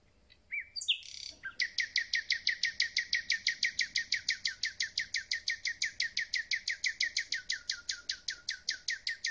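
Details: Common nightingale, lately arrived, starts with a brief whistle and squeak, then launches into a long rapid rattle of hard, uniform notes, about three per second, sustained steadily for several seconds.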